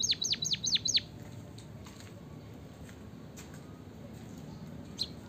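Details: Munia, in a recording meant to coax lazy munias into song: a one-second burst of five high, downward-sweeping whistled notes, then near silence with one faint chirp near the end.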